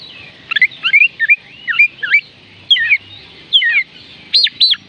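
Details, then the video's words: Oriental magpie-robin singing, used to stir reluctant birds to sing: rapid twisting whistled notes in short clusters, then two loud arched whistles near the end, with a low hum underneath. "oriental magpie robin kicauan Kacer panggilan Kacer malas bunyi"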